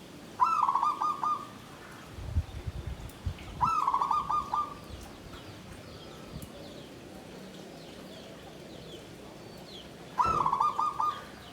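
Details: Zebra dove kept in a bamboo cage, klabang kapipit, tumpang sari song style rendered klarr kete kuk kuk: three rapid, rolling, stuttered coo phrases, each about a second long and spaced several seconds apart, over a quiet background.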